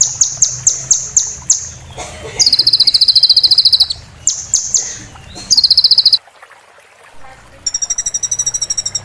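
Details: Oriental white-eye training recording in 'roll tembak' style, played to moulting birds to learn song material, with water sound added: a series of short high whistled notes, then rapid buzzy trills, an abrupt cut to near-silence, and a low water-like rumble.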